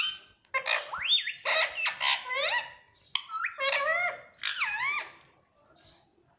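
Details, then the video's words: Talking pet Indian ringneck parrot at home, mimicking words such as mummy and papa: a rapid run of rich, harmonic, rising and swooping syllables with brief pauses, fairly loud and close. "bolta parrot || cute Indian ringneck parrot"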